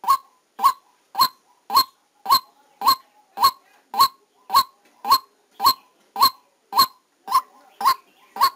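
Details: A white-breasted waterhen used as a trapping decoy repeats harsh, croaking single notes at a regular pace, nearly two per second. It was recorded directly during a trapping session, against a quiet background.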